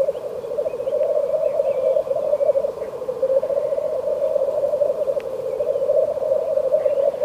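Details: Black grouse in frosty country giving a long, even, bubbling coo, low and throbbing from start to finish, with faint scattered higher chirps.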